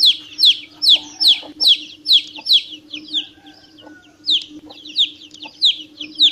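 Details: A chick cheeps rapidly in high, falling notes, pausing briefly midway before resuming; a faint low tone and steady hum sit in the background.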